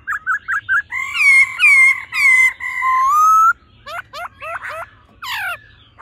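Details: Female and male laughingthrushes, the female calling and the male singing in a wild-forest voice, meant to fire up a male fast: short rising notes, then long rich harmonic tones, then quick steep upward-sweeping notes.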